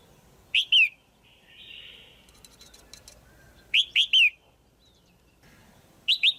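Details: Female red-whiskered bulbul, kept caged, calling to stimulate a male or for pairing: loud paired whistled chirps, each rising then falling, given in bursts about every 1.7 seconds, with faint softer chirps and clicks between.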